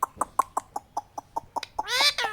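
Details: Talking Indian ringneck parakeet: a rapid run of clipped, evenly spaced chattering notes, then a loud harsh rising-and-falling screech.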